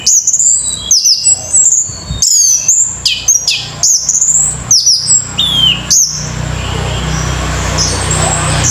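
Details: Orange-headed thrush giving loud, high whistled phrases with sharp downward slurs and chirps in quick bursts, then falling quiet over a low steady hum.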